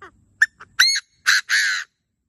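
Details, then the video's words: Francolin (teetar) calling in the wild: a few short sharp notes, then louder harsh, buzzy drawn-out notes, the last two longest, rising in intensity over about two seconds. "Francolin - बटेर - Teetar"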